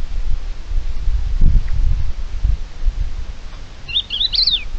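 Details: A common buzzard in Spain on 15 February 2023, during a failed hunting attempt, gives one brief, high mewing call that rises then slides down, over steady wind rumble.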